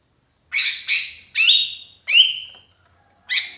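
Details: Sooty-headed bulbul calling to companions, used as a lure: five spaced notes, rough chirps giving way to clear downslurred whistles.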